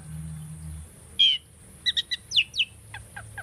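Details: Asian starling kept as a tame pet, giving a sparse song phrase: one buzzy whistle, a few quick paired chirps, two downslurred whistles, then softer falling notes, with a low hum beneath.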